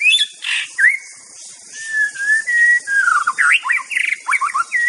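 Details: Wild white-rumped shama song: a long run of varied whistles, some held steady and others sliding sharply up and down, speeding into quick looping notes near the end over faint background hiss.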